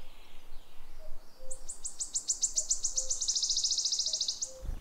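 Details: In spring, in a protected forest of the Prioksko-Terrasny Reserve on the Oka river south of Moscow, a wood warbler sings high ticking notes that speed into a fast shivering trill of about three seconds, with soft low tones of other birds beneath.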